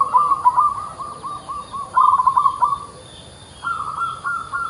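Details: Zebra dove (Geopelia striata), a local perkutut in full song, giving soft, rapid cooing trills in low bursts, pausing briefly between phrases, with a faint steady hum behind.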